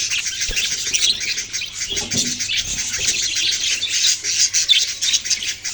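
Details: Steady flock chatter of baby budgies, thin high chirps and warbling twitters layered thickly together, with a faint low thump or two underneath.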